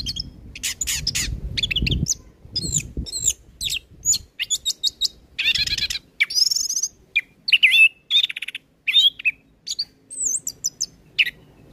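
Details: Orange-headed thrush pouring out a dense, varied song full of fill-in phrases, used to train untrained birds. Rapid chips, trills, buzzy notes and whistled slurs follow almost without pause, with some low rustling early on.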